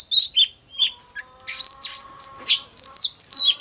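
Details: Lure recording of an oriental magpie-robin to excite singing: a few spaced whistled notes, then a fast, dense run of bright, varied whistles and chirps, over a faint steady tone.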